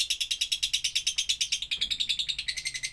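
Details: Lovebird singing the doubbelan style, a recording said to suit tutoring other birds: a rapid, even chatter of harsh pulses, about ten per second, high-pitched, with a brief shift in tone near the end.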